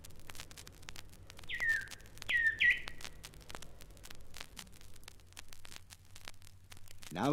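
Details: Rüppell's Robin-Chat, an East African mimic, imitating an Emerald Cuckoo. Two or three bright, falling whistled notes sound midway, set against a low steady hum, with a louder burst at the very end.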